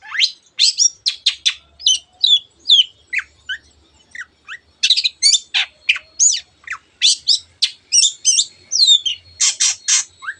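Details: Long-tailed shrike in full, energetic 'teot teot' song, used to excite other birds into singing: a rapid, dense run of sharp, high, varied chirps and squeaky slurred notes in bursts with brief pauses, against a quiet background.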